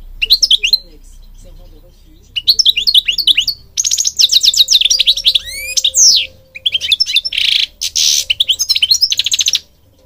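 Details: European goldfinch in full song for training birds, Morocco named: short twittering phrases building into long buzzy trills, swooping whistled slurs, and fast chattering runs with a faint steady tone.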